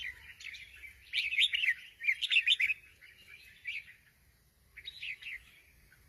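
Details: Sooty-headed bulbul in full song, a busy cluster of warbled, rising-and-falling whistles in the middle, followed by a few scattered short phrases separated by quiet gaps.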